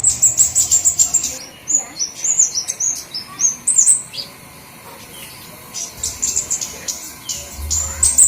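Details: Lure call of flowerpeckers, various kinds: a quick run of sharp, very high ticking notes, then spaced thin chirps and slurred squeaks, a near-silent gap of about a second, and renewed high ticking at the end.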